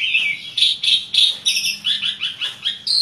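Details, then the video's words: Rapid run of repeated bright chirps from an Asian pied starling in lively song, roughly three notes a second with slight shifts in pitch. "jalak suren gacor ngoceh banyak isian"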